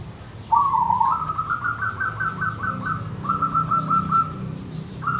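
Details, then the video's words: Wild local zebra dove from Wonogiri, Indonesia: a rolling cooing phrase opens, then a long string of quick, soft, staccato trilled notes at an even pitch, with a short pause before the run resumes. Faint insects sound in the background. "Suara perkutut lokal dari alam Wonogiri"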